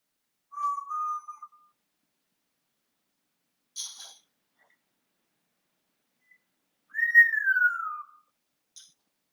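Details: Indoor pet African grey parrot: a short level whistle, a faint scratchy burst, then a longer whistle that starts high and slides smoothly downward, with quiet gaps between.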